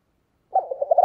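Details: A spotted dove's lure call for wild doves. A low coo breaks into a quick run of throbbing, pulsing notes that swell toward the end, in otherwise silent surroundings.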